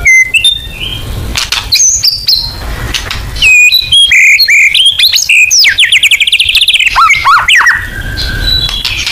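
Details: White-rumped shama song used as a lure to draw out other birds' singing: loud, varied whistles and rapid trilled phrases, some sweeping up and down, with harsh bursts and low background rumble.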